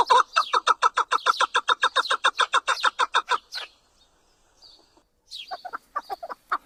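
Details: Chukar partridge calling in a fast run of clipped, evenly repeated clucks for over three seconds, then falling silent briefly before a few softer, scattered notes resume.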